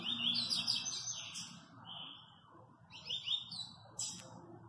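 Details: Double-collared seedeater, a caged bird kept by a friend in Guarujá, Brazil, praised as a very fast singer: rapid, dense bursts of high twittering and buzzy trills, a sustained note near the middle, then a further quick burst and sharp chips.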